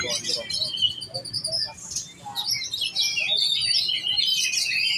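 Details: Oriental magpie-robin of the giras type in competition setting, singing in the fast 'kejar on ngunci' style: dense, varied high whistles and chattering notes pouring almost without pause, with faint low background noise.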